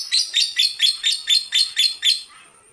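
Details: An aged female lovebird gives eight loud, shrill chirps in quick succession, evenly spaced about a third of a second apart, then falls quiet.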